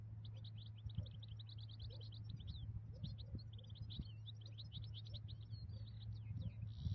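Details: European goldfinch during the trapping of migratory goldfinches with a ground net: a fast, tinkling, liquid twitter of high notes running almost without pause over a steady low mechanical hum.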